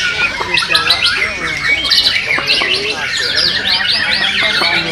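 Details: White-rumped shamas at a bird singing contest, Reyalita Cup 1, Central Lombok, Indonesia: dense overlapping whistled and chattering phrases, rapid up-and-down notes from several birds at once, with faint human voices beneath.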